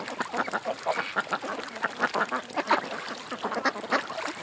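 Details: Ducks gathered at a creek produce a steady stream of short quacks, several per second, overlapping as a noisy group chatter.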